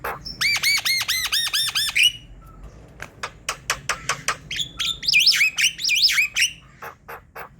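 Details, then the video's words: Javan myna singing hard, played to prompt lazy mynas into song: a rapid run of harsh arched notes, a series of sharp clicks, then twisting squeaky whistled phrases and more clicks. "Untuk Pancingan dab mendongkrak bunyi jalak kebo malas berkicau"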